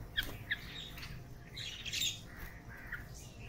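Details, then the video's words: A red-vented bulbul gives two short, sharp chirps, then a brief scratchy squawking burst, over a steady low background hum. "Red Vented Bulbul Sound"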